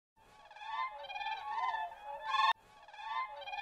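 Siberian crane giving high, fluting, musical calls, drawn out and slightly wavering, repeated in several bouts with a sharp break midway; no other clear sounds.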